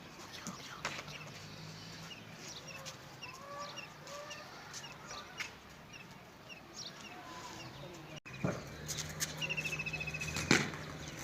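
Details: Birds singing in a village: scattered faint chirps and whistled slurs over a low hum, then from about nine seconds a louder, steady buzzy trill on one pitch with a few sharp clicks.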